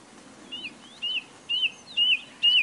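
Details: Nightingale giving slow, evenly spaced whistled notes, each rising then falling, repeated about every half second and growing louder.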